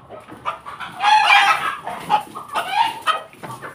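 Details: A Pelung rooster crows loudly in the morning: a strong drawn-out opening note, then a string of shorter stuttering bursts, with faint background noise.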